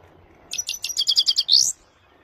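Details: Himalayan goldfinch singing with a clean voice: a quick series of about ten bright, high chirping notes rising in pitch, ending in a louder upward-sweeping trill, in a quiet setting.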